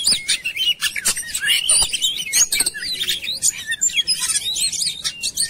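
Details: Oriental magpie-robin lure song: busy, tumbling phrases of scratchy chirps and looping whistles, many notes overlapping, with a quiet low hum.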